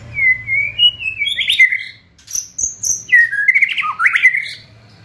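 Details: Loud white-rumped shama song in the fierce kretekan style, aimed at provoking and speeding up singing. Sliding whistles climb in steps, then very high squeaky notes, then a second burst of slurred warbles, rough and rapid.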